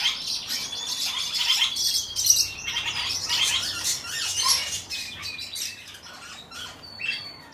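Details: ['Captive pair of silver-coloured diamond firetails; a long, thin, level whistle early on and a shorter one near the end, mixed with dry chattering chirps and fluttering wing noise.']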